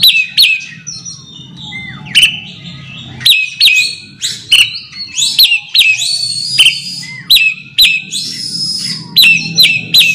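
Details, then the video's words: Varied whistles from an Oriental magpie-robin calling a rival: sharp notes, fluty slurs and long high tones in lively repeated bursts, with soft descending sweeps between and a low hum beneath. "suara kacer (memanggil lawan)"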